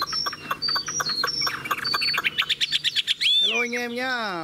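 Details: Caged, nearly tame Chinese hwamei taken from the wild, a male that spreads its tail and shows an eagle-wing display. It gives a series of clear high whistled notes, then a rapid run of short repeated notes. A harsh wavering sound ends the passage.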